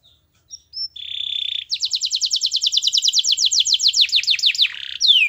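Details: Canary performing a master song to coax others into singing; short high notes and a steady whistled tone lead into a long fast trill of repeated chips, ending with descending slurred notes.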